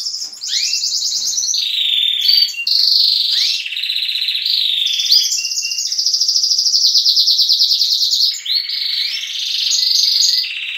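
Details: Young and adult canaries in a breeding room at daybreak, singing together in a lively jumble: overlapping rapid rolled trills and buzzy chirps, with sweeping rising notes near the start and dense high warbling throughout.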